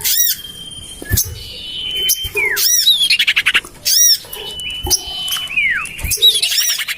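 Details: Lure recording of common iora used to draw birds in, tried in a garden next to a home: long steady whistles dropping into curved downslurs, mixed with harsh chattering bursts and sharp arched squeaks.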